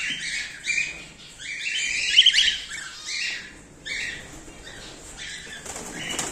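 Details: Breeding colony of cockatiels, cream face ino and normal grey, in the 2024/2025 season. Many birds give overlapping shrill chirps and screechy calls in bursts, forming a busy, constant chatter.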